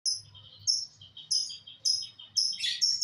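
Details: Lovebird giving sharp, high chirps in short bursts roughly every half second, each burst a bright cluster of squeaky notes, with a faint low hum underneath.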